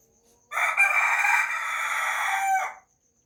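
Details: Rooster crowing in the morning: one long, drawn-out, strained crow lasting about two seconds, level and loud throughout, then ending abruptly, with near silence before and after.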